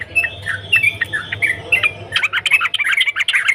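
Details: Sooty-headed bulbul in lively song: spaced bright chirps over a low hum, then a crowded burst of rapid scratchy chattering notes.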